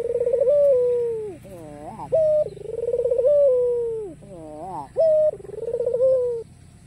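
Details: Cooing of a white ringneck dove with a black neck ring, meant to prompt rivals to answer: rapid stuttering upward notes, a brief clipped hoot, then a drawn-out rolling coo sliding downward, repeated about every three seconds.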